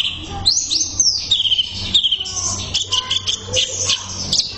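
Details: Masteran recording used to tutor kept birds, with greater green leafbird song: high sweeping whistles followed by rapid chattering bursts and buzzy notes, a faint low hum behind.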